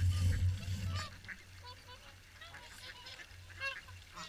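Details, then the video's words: Swans gathered for the morning feed at Caerlaverock: a gust of low rumble opens, then scattered bugling honks from several birds sound at irregular intervals. "Morning Swan Feed"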